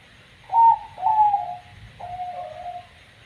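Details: Perkutut zebra dove of the banyu mili type, known for a strange voice, gives three clear, mellow coos, each gliding slightly downward, the last softer and longer, over a quiet background.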